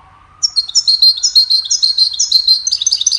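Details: Goldfinch, recorded as a training song for songbirds, delivering a bubbling run of high chirps and twangy, slurred notes at a steady quick pace, over a faint rising tone in the background.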